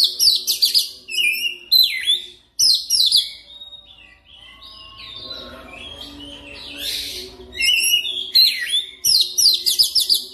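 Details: Lure song of an oriental magpie-robin for training continuous singing: loud bursts of sharp swooping whistles and trills, a softer warbling passage in the middle, then more emphatic whistled phrases repeated at the close.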